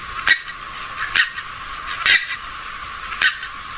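Four loud, harsh, broadband squawks from a swamphen, spaced about a second apart, over a faint steady hiss.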